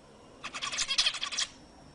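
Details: Zebra finch singing to stir females into breeding: a single compact phrase of about one second, made of rapid buzzy, trumpet-like nasal notes framed by quiet.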